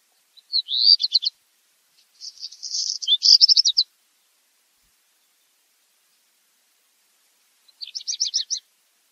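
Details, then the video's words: A black redstart (Phoenicurus ochrurus) sings short high phrases: a brisk rattling trill, then a scratchy crackling section and more rapid trills, with a long pause before the next burst. "o canto do RABIRRUIVO-PRETO/BLACK REDSTART SONG"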